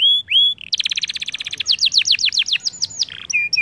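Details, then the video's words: Canary lure song used to make other canaries sing: two rising whistles, then a rapid rolling trill followed by a string of sharp falling notes and a few lower warbled phrases. "Pancingan Kenari Gacor"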